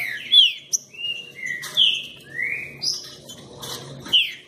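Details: A strong-singing green-winged saltator runs through a string of clear whistled phrases, some slurring down, some rising, loud and evenly spaced, with faint low background hum.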